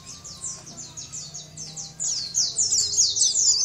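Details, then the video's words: Sunda white-eye tutor song meant for training other birds, from a champion singer: a steady series of high down-sweeping chirps, then a louder, busier stretch of overlapping twitters in the second half. "Masteran pleci gacor"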